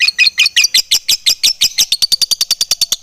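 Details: Fighter lovebird giving a long ngekek with rapid ngetik ticks and short gaps. A few squeaky, scratchy chirps speed up into a rattling string of high, clipped chatter notes, about eight per second by the end.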